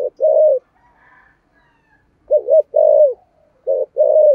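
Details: Spotted dove cooing in the 'thổ sấm' voice and 'thúc gù' style: deep paired phrases, a brief wobbling note followed by a drawn-out, slightly falling coo, repeated three times after a quiet spell.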